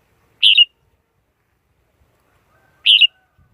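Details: Two short lively warbled phrases from a red-whiskered bulbul, each a quick rising-and-falling double note, about two and a half seconds apart in silence.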